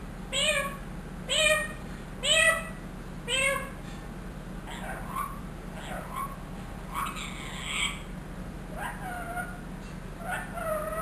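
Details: A trained one-year-old ringneck parrot, said to mimic the phrases "Allah ho" and "mitho bety" and a cat's meow, gives four loud, harmonic, rising-then-falling calls about once a second. Quieter slurred voice-like sounds follow over steady low hum.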